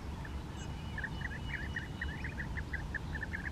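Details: European bee-eater on the bank of the Bečva river, landing to swallow grit, giving a quick run of short, rolling, mid-pitched notes, several per second, over a heavy low rumble of wind or distant traffic.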